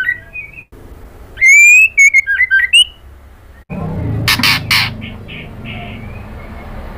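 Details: A female white-rumped shama calls the male, a recording meant to stir males to reply: a loud run of bright whistled phrases with sharp upward flicks, then a few harsh rasping bursts and faint whistles.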